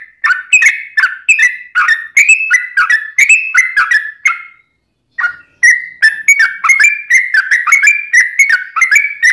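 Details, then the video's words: Yellow-vented bulbul in extended ropelan song, meant to train birds and pull in wild bulbuls. Rapid, bubbly whistled phrases with clicking edges rise and fall, pause once for about a second, then resume. "Kicau Trucuk Ropelan Panjang Ngelituk Tanpa jeda"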